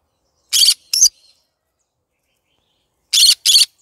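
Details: Morning calling by a pet green-cheeked conure of the yellow-sided form: two pairs of loud buzzy screeches, a long one followed by a shorter one, separated by a two-second pause.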